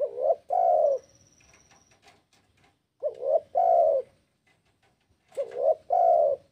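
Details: Spotted dove calling to make rival birds call back: three low two-part coos, each a short rising note then a longer wavering coo, repeating roughly every two and a half seconds over a quiet background.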